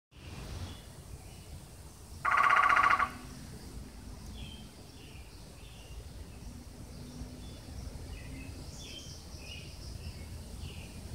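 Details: A Red-headed Woodpecker from a family living in a backyard gives a single loud, harsh, rasping call, about a second long, over steady background hiss with faint high chirps from other birds.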